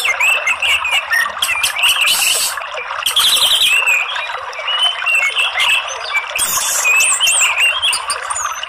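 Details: Orange-headed thrush singing as a stimulus for birds that rarely sing and only chatter, to trigger full ngeplong song: sustained busy warbling of wavering whistles and squawky notes, broken by sharp, high bursts.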